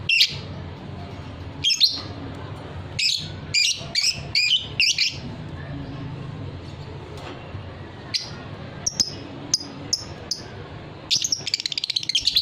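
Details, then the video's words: Fighter lovebird on a training recording for singing birds: clusters of piercing high chirps, a busy group early on, scattered single notes in the middle, then rapid chattering at the end, with a low steady hum. "suara lovebird paud figter"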